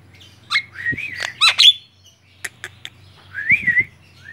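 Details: Tame Javan myna chattering while perched on a person's hand: harsh squawks and slurred, wavering whistles in bursts, a few sharp clicks near the middle, then another warbled phrase, over a steady low hum.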